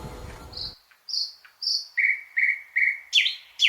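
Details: Song of a thrush nightingale: after a brief burst of low noise, clear whistled notes, then three repeated lower whistles and sharp high chips.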